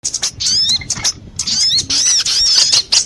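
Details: Sunbirds of several kinds in a lure recording used for trapping: bursts of thin, high, sharply sweeping chirps and twitters, broken by short quiet gaps.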